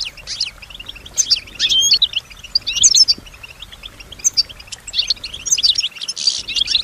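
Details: European goldfinch, female and kept, singing with imitation of other sounds: scattered high twitters, short buzzy bursts and chirps in irregular phrases over light background noise.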